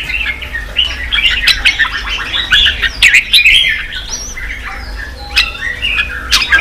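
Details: Red-whiskered bulbul, singing to provoke fighting and train newly caught birds: a jumble of chattering and whistled notes, busiest early, then scattered sharp chirps over a low hum.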